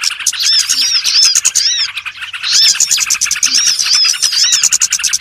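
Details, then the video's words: Lure recording of small birds (burcil) used for trapping: a dense chorus of high, thin chirps and squeaky whistled notes from many overlapping birds, with short downslurred and arched notes repeated rapidly without pause. "SUARA PIKAT BURUNG BURCIL"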